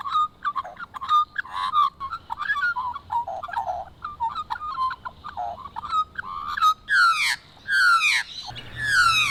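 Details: Australian magpies, recorded over a few months, warble in a rich, jumbled chorus of fluting notes, ending in loud descending, gargling carols from more than one bird.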